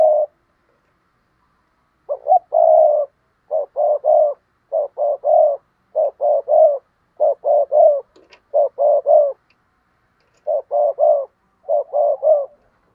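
A spotted dove gives soft, hollow coos in short two- and three-note phrases, repeated steadily.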